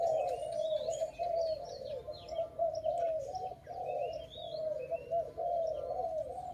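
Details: Dove cooing almost without pause in a bird-trapping setting: a dense run of low, rolling, slightly wavering coos, overlaid by scattered high twittering from other birds.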